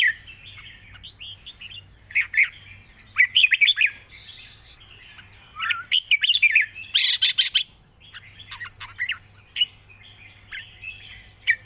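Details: Red-whiskered bulbul giving an extended long song in wild-style, soft-voiced phrasing, song interwoven with chatter: repeated bursts of lively, looping whistles and sharp clipped notes, some harsh bursts between phrases, and a steady low hum throughout.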